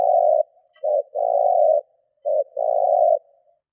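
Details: Spotted dove used as a lure, cooing to attract wild doves. Clean, smooth low coos: a long note, a short one, another long one, then another short-long pair, with no other sounds.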